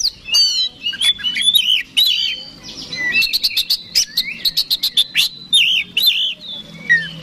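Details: Fighting song of an Oriental magpie-robin, a bird kept for song contests, used to provoke a rival: rich whistled slurs and warbles broken by a rapid series of sharp clicking notes.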